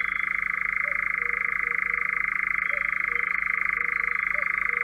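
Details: European Nightjar from Central Russia, a steady unbroken mechanical churr holding one even pitch band, with fast regular pulsing throughout and faint higher bird notes in the background.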